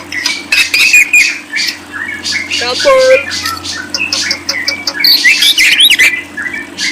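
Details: Lovebird giving a fast, scratchy chattering song. Squeaky notes tumble in irregular bursts, with a short lower whistled note partway through, over a constant low hum.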